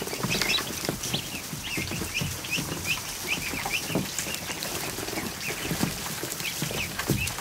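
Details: Chorus of high, thin peeps from more than a hundred newly hatched ducklings kept in a kiddie pool in a barn on an afternoon, calls overlapping steadily over soft splashing and pattering.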